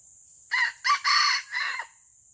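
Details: Wild junglefowl crowing during traditional live trapping with a lure: one harsh, hoarse crow of four broken parts lasting about 1.3 seconds, the third part longest, over a steady high insect whine.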